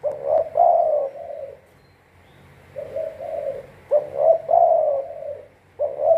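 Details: Trapping decoy Spotted dove repeating low, mellow coo phrases, four in succession with a short pause in the middle, each a brief stuttered lead-in and a sustained, slightly rasping coo.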